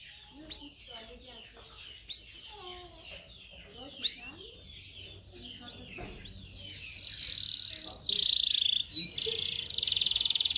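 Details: Canary song played for training canaries to sing: scattered sharp chirps and downward notes, then a loud, steady high buzzing roll and fast rattling trills toward the end, with faint low murmurs underneath.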